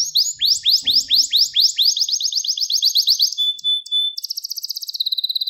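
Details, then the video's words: Gloster canary song used for training and stimulating males: rhythmic rising notes about four per second, a held steady whistle, then a fast rattling roll; a faint low knock early on. "Gloster Kanarya Eğitim Sesi Canlı Görüntü | Gloster Kanarya Ötüşü Erkek Huylandırma Ve Kızıştırma"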